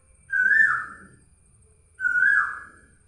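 Asian Koel giving two loud, ringing whistled notes, each sliding up and then easing down, spaced about a second and a half apart.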